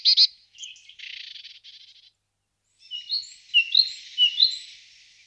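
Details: Marsh tit with a quick pair of sharp chips, then a buzzy churring run, followed after a pause by soft scattered twittering notes.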